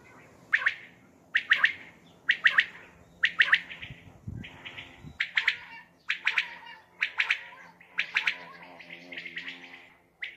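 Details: Common quail calling at night, recorded for hunting: sharp, high, clipped notes given in short bursts roughly once a second, with a faint low hum in the background.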